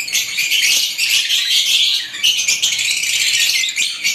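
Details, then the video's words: Lovebirds of various kinds in full chorus: an unbroken wall of shrill, buzzy twittering and squeaks, high and loud throughout with no pauses. "ibat ibang klasing uri ng love birds sarap nilang pakinggan habang na humuhuni"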